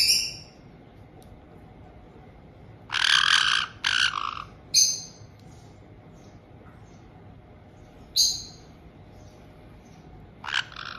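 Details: A white-bellied caique gives harsh, shrill squawks in short bursts with a few thin high whistles between them, against a low steady hum, as a resident pair welcomes a newly arrived two-month-old chick.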